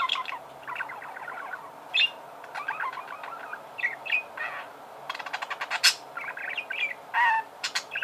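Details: Budgerigar warbling: a varied mix of chirps, squeaks and clicks, including a run of fast, rhythmic ticking near the middle and a few clear whistled notes.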